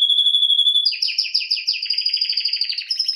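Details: Canary song beginning with a steady whistled tone, then a fast repeated run of descending chirps, about three per second, flowing into high rapid trills; clear and close.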